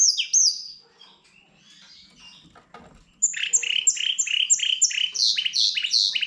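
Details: Song of a goldfinch x canary hybrid: brief high twittering, a quiet pause, then a fast run of repeated rasping chirps at about three per second, bright and metallic.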